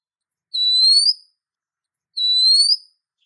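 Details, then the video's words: Female Oriental magpie-robin calling a male, used as a lure: two pure, high whistles that rise slightly, each lasting under a second and spaced about a second and a half apart. "Suara Pancingan Sekaligus Terapi Kacer Betina Memanggil Jantan"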